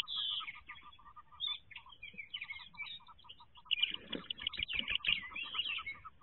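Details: Wood duck brood calling inside its nest box on jump day 2023, thin high peeps massed together above regular beads of lower clipped notes, a burst of louder scrabbling near the middle.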